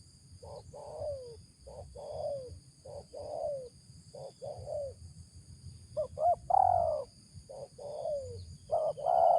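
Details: Tekukur, a spotted dove, uttering a series of "ngeruk" coos, described as fit for luring: short mellow notes in quick groups, then louder wavering coos with a long drawn-out note, over constant low rumbling noise and a thin high hum.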